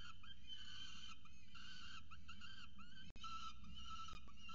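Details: Peregrine falcon chick with its mother at a nest monitored by a camera in Orange, Australia: continuous harsh, harmonic wailing calls with short bent notes, over steady low wind rumble.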